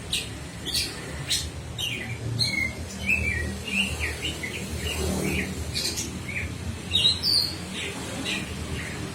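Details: Birds singing with quick descending chirps and sharp high ticks in an uneven stream, some notes slurred downward, others clipped, mixed over steady low background hum.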